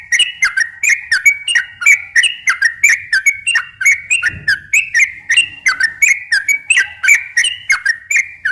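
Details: Sooty-headed bulbul in full, energetic song meant to draw in other bulbuls: a steady chain of bubbly, whistled two-part notes, each dipping then rising, about three per second without pause, clean with no other sounds.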